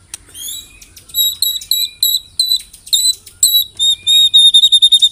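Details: White-rumped shama song used as a lure to set other shamas singing: clear, high whistled notes repeated several times a second, speeding into a quick ringing trill at the end.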